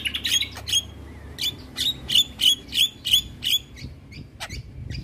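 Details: Javan myna in energetic song aimed at stirring up neighbouring mynas: a string of about ten sharp, high squawking notes, roughly three per second, then fading into fainter scattered chirps.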